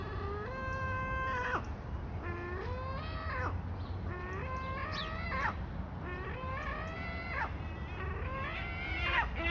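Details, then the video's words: A gull gives about five very loud, drawn-out, nasal, mewing calls, roughly one every two seconds, each ending in a sharp pitch slide, over a low rumble of wind. "The Seagull Is Making Weird Sounds"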